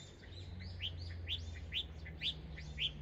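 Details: Chinese hwamei, an introduced bird, chattering in birch trees on a sunny day; a run of short rising-falling whistled notes about twice a second, with low background hum.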